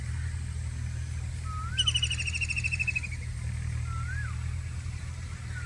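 White-throated kingfisher giving one loud, rapid, slightly descending chattering rattle lasting about a second and a half; soft slurred whistles from another bird and steady traffic rumble underneath.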